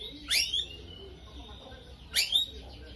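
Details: Two piercing upswept chirps from a lovebird singing vigorously, a fighter bird trained with starling-style phrases, separated by nearly two seconds of quiet.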